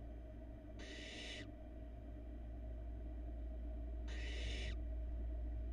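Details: Youngest barn owl nestling eating a large rat, filmed by a Florida nest cam; a pair of harsh, wide-band hissing calls about three seconds apart, each roughly 0.7 seconds, over a low droning hum.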